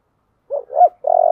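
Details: Spotted dove with a 'giọng thổ' voice giving a short burst of its fighting challenge call: two quick hooting notes, then a sustained purring coo with a rapid tremolo.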